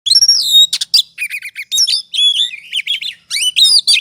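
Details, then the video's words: Oriental magpie-robin in ngobra singing style, used as a lure to provoke emotion and continuous singing: a rapid medley of high whistled notes, sharp upslurred chirps and buzzy trills packed closely with brief pauses. "Pancingan suara kacer ngobra,,pasti emosi dan gacornya terpancing.."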